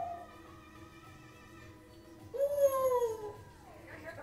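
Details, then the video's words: Six-year-old pet African Grey, with another parrot in the background: quiet steady tones, then a loud whistle that rises, holds and falls away over about a second, followed by a soft higher note. "Talking African Grey"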